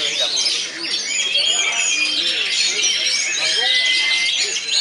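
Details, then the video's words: Contest duel of oriental magpie-robins: unbroken bright warbling, scratchy chirps and long pure whistles, loud and steady, with human voices audible underneath. "DUEL KACER"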